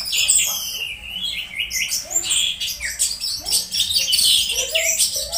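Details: Orange-headed thrush, kept bird, making strange 'teler' sounds while being stimulated, used as a lure to make other thrushes sing during morning dew exposure; a dense stream of high, fast chirps, sliding whistles and buzzy notes with no pauses.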